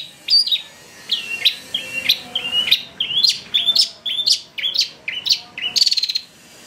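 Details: Long-tailed shrike lure recording meant to provoke excited singing: a rapid series of about a dozen sharp, high chirps, each dropping then hooking upward, repeated roughly twice per second and ending in a buzzy, rasping note.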